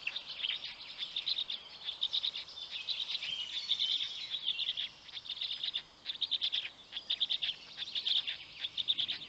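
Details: Black stork parent feeding chicks at a nest in the Notecka Forest, Poland, early morning of 19 May 2020; the smallest chick gets nothing. Shrill, rapid chirping pulses repeat about once a second, clustered and insistent throughout.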